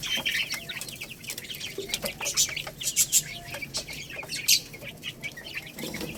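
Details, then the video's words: Growing Lohmann Brown chicks, rooster and hen, feeding on rice: a cluster of quick, thin peeps at first, then scattered chirps among sharp, irregular pecking taps. "Chicks Chirping Sounds"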